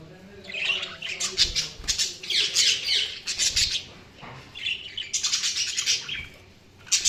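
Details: Budgerigars chirping: dense bursts of scratchy, warbling chatter and squawks, several birds together, in loud clusters separated by short quieter gaps.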